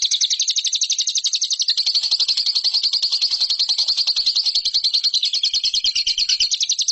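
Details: Sustained high chattering trill from a lovebird, played to train birds for competition. Dense, rapid notes run continuously for the whole stretch with little variation in pitch.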